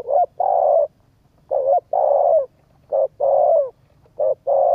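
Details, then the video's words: Spotted dove coos used to stir up a decoy bird: short notes followed by a long, slightly falling coo, phrases repeating roughly every second and a half. "cu gáy thúc gù kích bổi tập mồi hiệu quả"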